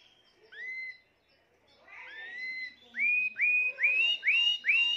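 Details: Timbrado canary, the seventh bird of the keeper's 2020 birds, in song: two slow upslurred whistles, then a steady series of five loud swooping whistled notes repeated about every half second.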